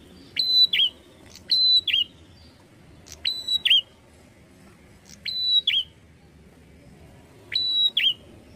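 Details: Bar-winged prinia singing persistently: high, clear whistled phrases, each opening with a sharp click, holding a steady tone, then ending in a quick dropping twist. The phrase repeats about every two seconds, five times, over a faint low rumble.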